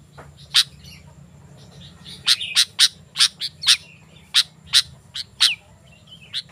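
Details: Sooty-headed bulbul, song used as a lure and training aid: quiet start, then spaced sharp rasping notes about every half second, some with a soft twittered phrase between.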